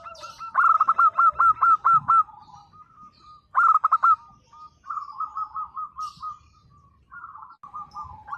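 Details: Local zebra dove singing actively, a 'nembak' song played to set silent local doves answering: two loud bursts of rapid, bubbling coos in quick staccato runs, then softer rolling coos from other doves behind.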